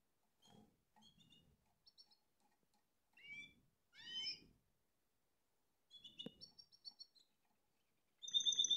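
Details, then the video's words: Spanish timbrado canary singing: scattered high chirps and brief twittering phrases separated by quiet gaps, ending in a loud sustained high trill, with soft low rustling throughout. "كناري تمبرادو اسبانيول يغرد canario timbrado español original cantando"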